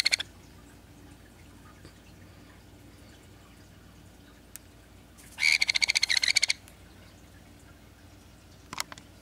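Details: A male sun conure (Aratinga solstitialis), bald from a genetic mutation but healthy, gives a brief, harsh, rapidly pulsed chattering call, high-pitched and grating; another sun conure of the same age is nearby.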